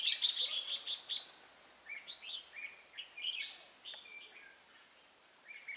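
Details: Fighting song of a decoy red-whiskered bulbul used to lure wild birds into a trap: a loud rapid burst of chirps opens, followed by spaced, slurred whistled notes.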